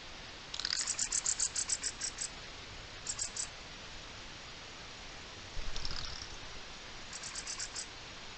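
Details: Mistle thrush alarm, 04-05-23: a long rattle of about a dozen dry clicks, then shorter softer rattles trailing off over light background noise.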